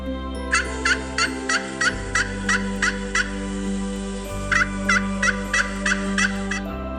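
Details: Turkey (Meleagris gallopavo), gobble.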